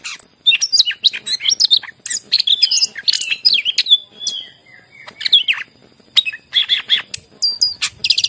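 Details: Greater green leafbird (cucak ijo) singing in lively gacor form, used as a lure to prompt other birds that are reluctant to sing. Its rapid, varied phrases of clear whistles and trills sweep up and down, nearly continuous with only brief pauses.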